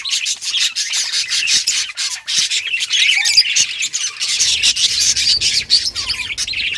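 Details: Caged breeding colony of Australian budgies: dense, continuous chirping and scratchy warbling from many birds at once, high and busy throughout, with a few short clicks and a faint low hum in the second half.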